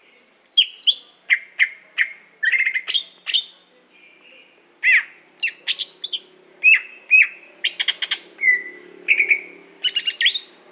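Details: Prize-performing Aceh greater green leafbird singing a long varied phrase of sharp chirps, downslurred whistles, short trills and squeaky rising notes, evenly spaced about every half second, with a faint low hum underneath.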